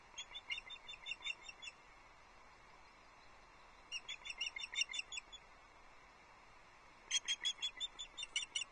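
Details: Osprey chick on the Loch Arkaig nest, 9 July 2022, as breakfast arrives and it tries a quick nibble: three bursts of rapid, high, piping chirps, each burst about one to two seconds long, separated by short quiet gaps.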